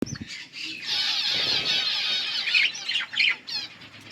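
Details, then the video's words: Yellow budgerigars chirping: a dense, continuous band of high, scratchy warbling that swells after the first second and holds steady, with brief louder squawks near the end. "Budgies sounds for lonely birds Beautiful yellow budgies chirping sounds"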